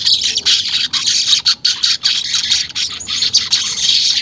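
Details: Weaver song used as a lure to prompt caged weavers to sing quickly, unedited: a dense, high, buzzy sizzling chatter running almost unbroken for four seconds, broken only by brief gaps.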